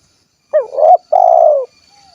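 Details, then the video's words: One clear phrase from a spotted dove of the kuk 1 style, Cilacap, Central Java: a bending hoot rising into a swelling note, a short pause, then a long purring coo fading downward; a faint whistle follows. "SUARA BURUNG TEKUKUR / DERKUKU KUK 1 GACOR"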